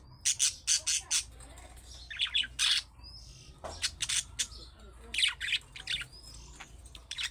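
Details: Budgerigars giving sharp, rapid chirps and harsh squawks in quick series, interspersed with brief warbled notes, played so pet budgerigars will respond.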